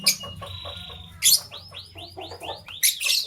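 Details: Lovebirds, one green and one blue, competing for vegetables in the morning: a held whistle, then a fast sequence of about six arched chirps, with loud rasping shrieks between.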